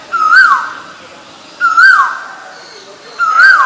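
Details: Asian koel calling three times in quick series, every note a strong whistle that swoops upward and falls away, roughly one and a half seconds between notes over a quiet background.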